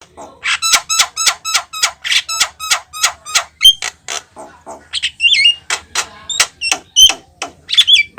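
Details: Javan myna singing loudly, said to set other birds singing: a fast run of harsh, broad chattering notes about three or four per second, mixed with higher whistled squeaks and slurred notes.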